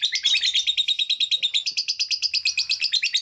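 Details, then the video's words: Songbird heard on a masteran recording made to train songbirds: a continuous rapid burst of high, rattling notes, about three per second in pulses, packed with fast sweeping elements and strong and steady throughout. "masteran full tembakan istimewa"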